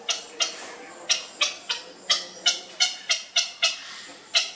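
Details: Grey heron nestling being fed, producing a steady string of short, harsh ticking calls, about a dozen sharp notes at slightly irregular intervals.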